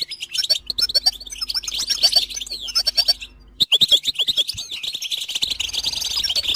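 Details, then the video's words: Goldfinch song for teaching chicks and songbirds to sing: bursts of rapid, tinkling twitter and chirps, a short gap midway, then renewed fast twittering with a faint low hum. "Motivational tones must be available on your phone for your goldfinch to sing"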